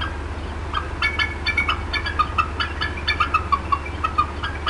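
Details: Mother bald eagle at the Decorah North nest, 4:23 PM CDT on 18 April 2016, clucking nonstop while upset about something nearby: evenly repeated sharp chips, several per second, over a low drone.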